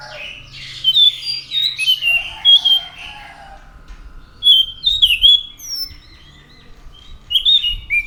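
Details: Orange-headed thrush (anis macan) in full voice: varied clear whistles and slurred notes in three loose bursts, with lower buzzy warbling underneath.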